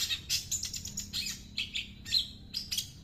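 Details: Long-tailed shrike song imitating small birds, a fast jumble of sharp high chirps and short whistled notes in clustered bursts, with a faint low hum underneath.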